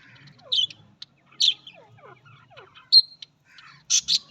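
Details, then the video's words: Australian parrots giving loud harsh squawks, about five in all, separated by softer quick descending whistled notes, with near silence in the gaps. "Australian parrot voice"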